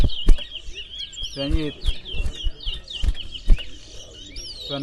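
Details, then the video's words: Towa towa birds singing at a competition in Berbice, Guyana: a busy run of short, bright whistled chirps and slurred notes repeated throughout, with crowd chatter and low thumps beneath. "Towa Towa Bird Singing Competition in Berbice"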